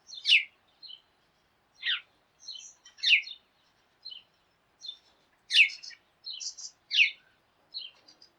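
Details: A flock of sparrows calling together in the morning, hopping about as if quarrelling; short chirps repeated irregularly, some in quick pairs, with clear gaps between, no other sounds.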